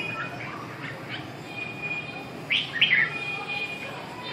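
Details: Red-whiskered bulbul giving a few faint whistled notes early, then two louder, quick warbled phrases near the middle, over a steady faint tone and low background noise.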